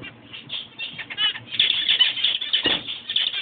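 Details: Zebra finch of a black-face, checked-breast colour form, giving short nasal stacked chirps in quick irregular runs, with loud fluttering wing noise and busy overlapping chatter in the second half.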